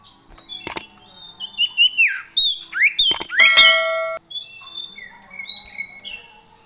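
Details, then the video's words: Common iora in gacor song with fill-in phrases of other birds: sweeping whistled slurs, some dropping steeply, some rising, sharp clicks between them, then level whistles at two pitches. "cipoh gacor variasi full isian"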